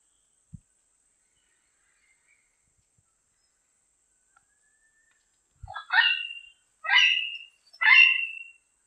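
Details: Wild diademed amazon calling repeatedly: a quiet stretch broken by faint taps gives way to three strong, harmonic, honking squawks spaced roughly a second apart.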